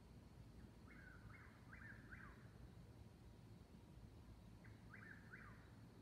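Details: Dueling eastern whip-poor-wills near Davis Creek Road, Seneca, South Carolina, 22:42 on a 69 °F May night, 19 May 2021. A run of four whistled three-note phrases, a long gap, then two more, all over a dull low rumble.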